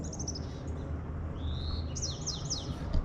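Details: On a fine day in Vancouver's Shaughnessy neighbourhood, a Bewick's wren, first mistaken for a white-crowned sparrow and confirmed by sight, sings a quick phrase: a few high notes, a rising whistle, then falling slurred notes, over low rumbling noise.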